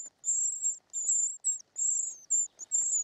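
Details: High thin begging whistles of short-toed treecreeper chicks fed in their nest, bursts of up to half a second, some slurring downward at the end, over faint rustling.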